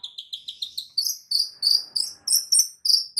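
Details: White-rumped shama (murai batu) in a full training song packed with fill-in phrases: rapid series of high, sharp chipping notes, about three per second, climbing slightly in pitch, with faint scratchy sounds behind.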